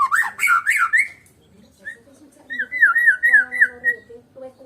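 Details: A Medan-type white-rumped shama with no rival bird sings a loud warbled phrase, then pauses and gives a wavering series of clear, looping whistles, with soft lower tones beneath.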